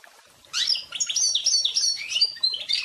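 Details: Canary and goldfinch cross, called pintagol, bursting into song after a moment of quiet: varied sharp chirps, upward-slurred notes and tinkling high twitters delivered quickly for about two seconds.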